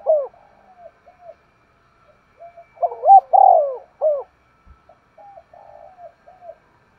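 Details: Spotted Dove (Spilopelia chinensis), a sharp-voiced decoy bird cooing urgently to lure other doves: soft, hollow, low coos in short broken phrases, swelling into a louder, throaty burst midway, in otherwise quiet surroundings.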